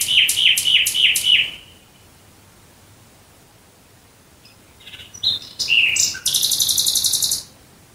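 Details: Nightingale song at night near Dresden: five rapid repeated chopped notes, a pause of silence, then scattered clicks, a whistled note and a long dense buzzing trill.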